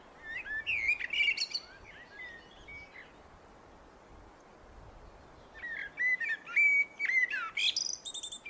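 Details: Common blackbird delivering two song phrases. Each starts with rich, flute-like warbles and ends in squeaky, chattering high notes. A quieter gap separates the phrases.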